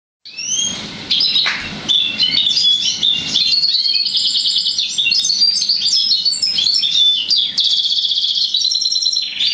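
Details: Goldfinch and roller canary hybrid singing a long, continuous, high warbling song of rapid trills, rattles and twittering phrases, with brief rising whistles and no other clear sounds.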